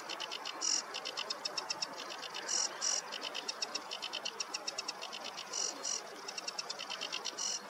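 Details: Sedge warbler on a meadow on a warm morning, singing steady rapid chatter punctuated by louder emphatic double notes every couple of seconds.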